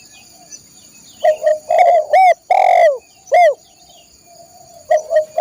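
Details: Spotted dove song for training caged birds. After a quiet opening, a run of short rising-falling coos builds to one long, strong coo, followed by a single note and two softer coos at the end.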